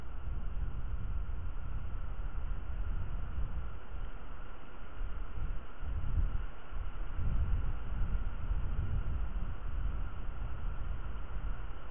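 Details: Steady low wind rumble and distant traffic-like noise with a faint hum, and no animal calls.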